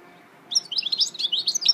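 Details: Goldfinch hybrid (mule), 2018: after brief silence, a quick, bright run of high tinkling and twittering notes, sharp and closely packed.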